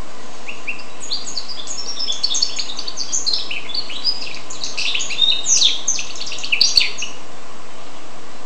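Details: A goldfinch and canary hybrid sings a lively, jumbled warble of rapid high twitters and brief buzzy trills, densest toward the end, against constant low background hum.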